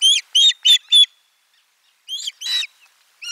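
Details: Osprey calling at its nest as fish arrives for lunch, 12 July 2022, nest camera 4: four sharp, high chirps in quick succession, a pause, then several more harsh calls.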